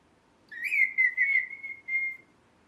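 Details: Pet ringneck parrot indoors giving one clear whistled note that bends up, then holds a steady high pitch with small wavers for about two seconds. The room is otherwise quiet.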